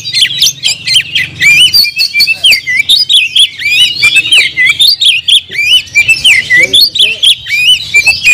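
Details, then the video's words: Oriental magpie-robin kept in a cage, in full 'gacor' song: a dense, varied run of twisting whistled notes and scratchy chirps, phrases tumbling together almost without pause, plus a faint low rumble early on. "kacer gacor nagen sampe leklok"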